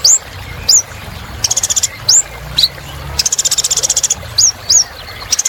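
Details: Olive-backed sunbird in lively song to prompt other birds to sing: high upslurred whistles interspersed with two extended rapid metallic trills, with a steady faint background hiss.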